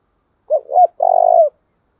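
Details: One clean 'chìm' coo phrase from a Spotted dove decoy kept to train doves: a short rising hoot, a second louder hoot, a brief pause, then a long level coo that drops slightly as it ends. Nothing else heard.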